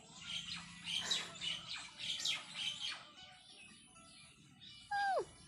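A parrot repeats a short, name-like word in quick raspy bursts, about two per second, then gives one loud, falling whistled squawk.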